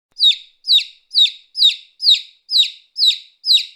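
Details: Baby chick peeping steadily, each bright high note sliding sharply downward, repeated about twice a second in an even series with clean silence between calls.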